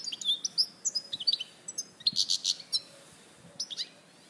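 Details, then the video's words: [7, 'European goldfinch song from Larache, 2014: clear high chirps and short trills, then a raspy buzzing stretch of several pulses, ending with a few scattered twitters.'] "Jilguero Larache 2014"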